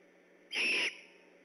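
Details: At night by the Decorah eagle nest, 3 October 2015, a great horned owl on alert gives a single loud, high whistled note of about 0.4 seconds, steady in pitch, slightly breathy, over a low background hum.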